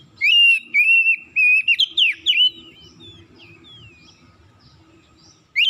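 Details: Oriental magpie-robin singing a morning lure song, vigorous and full of imitated phrases: loud, clear whistles held at one pitch and broken by sharp slides for about two seconds, then softer twittering fragments over a faint low hum.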